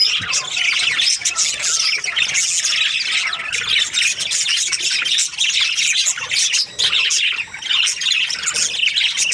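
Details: Budgerigars, Australian parrots in breeding pairs, keep up an unbroken chorus of raspy squawks, chirps and warbles from several birds at once.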